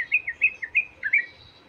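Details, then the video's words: White-rumped shama giving a short phrase of quick, clipped, slurred whistles, about eight notes in just over a second, in a recording aimed at provoking shamas to sing. "Pancingan Emosi Murai Batu Agar Cepat Gacor"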